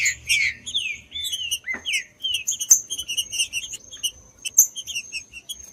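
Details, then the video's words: Green-winged saltator song played to 'warm up' and stimulate birds for singing tournaments: clear whistled phrases, some sliding down, mixed with quick high chips and a thin steady high tone running through. "ESQUENTE SEU TRINCA FERRO MELHOR ESQUENTAR TRINCA FERRO frio TRINCA FERRO CANTANDO"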